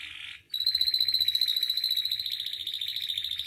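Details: Canary singing for a recording meant to train and provoke canaries into full song: a brief buzzy burst, a short pause, then a long, even, rapid trill held at one bright pitch.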